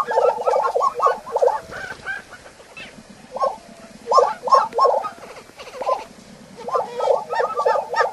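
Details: Lesser prairie-chickens of the shinnery oak and sandsage grasslands in the southwestern United States give quick bursts of hollow, bubbling gobbles, four to six notes at a time, with softer clucks underneath.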